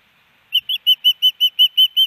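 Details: Nest-camera recording from Hellgate Canyon, Missoula, Montana, on May 18, 2019: a female osprey calling for her mate with nine loud, piercing whistled chirps evenly spaced at about five a second.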